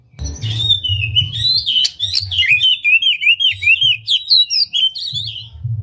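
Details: Lure recording of an oriental magpie-robin, tail spread, singing its distinctive song: a continuous, lively run of high whistled slurs, twitters and rapid trills, the notes tumbling quickly one after another, with soft low rumbling beneath.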